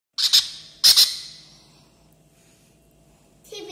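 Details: Twenty-day-old pineapple conure chick eating baby bird formula, giving two short harsh high-pitched squawks close together early on, then near silence, with a brief rasp at the end.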